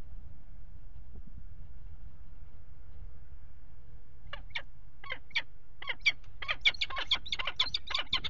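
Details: Peregrine falcons at a nest box on a water tower, 5 February 2018, mating on the ledge; low rumble at first, then sharp, rasping calls that quicken into a rapid chattering series.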